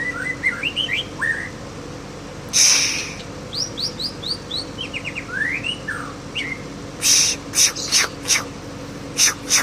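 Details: White-rumped shama from Aceh singing and mimicking a canary: rapid sequences of high, sharp upslurred whistles and chirps, with several loud broadband harsh bursts interrupting the phrases, over a steady low hum.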